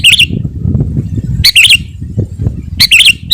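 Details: Sooty-headed bulbul in chatty gacor song, used to lure wild birds and provoke rivals: three short liquid whistled phrases spaced over a few seconds, with low rumble underneath.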